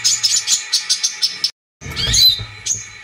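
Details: Brown-throated sunbird, lure recording for prompting song: a run of about ten sharp high chips that stops abruptly, then after a brief gap comes a burst of sweeping, slurred high notes.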